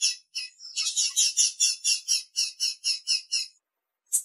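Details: A female Blue-black Grassquit (Volatinia jacarina) calls to excite the male: a rapid series of high, thin chip notes, about eight per second, then silence before one last chip.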